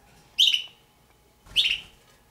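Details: Two short, harsh, raspy squawks about a second apart from two captive juvenile red-billed hornbills, possibly the Damaraland subspecies per the owner, each dropping slightly in pitch, over a quiet background.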